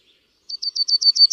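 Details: Yellowhammer song: a quick run of seven identical high, slightly buzzy notes repeated about eight times a second at a steady pitch, with a quiet, clean background and no other birds.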